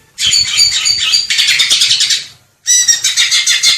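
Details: Greater green leafbird song: a loud, rich stream of rapid twittering and whistled notes that runs unbroken for about two seconds, then restarts after a brief silence as quick rhythmic chirps.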